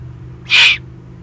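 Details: Begging screech of an excited young Eurasian eagle-owl, Eifel region, Germany, June 2020: a single loud, rasping hiss of roughly a third of a second against a quiet, low hum.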